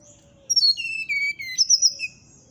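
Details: Brown-chested jungle flycatcher singing in the flute-like 'nyuling' style, said to agitate a neighbour's bird: clear whistled notes sliding down from high to mid pitch, then a rising burst of bright, quick, high notes over a quiet background.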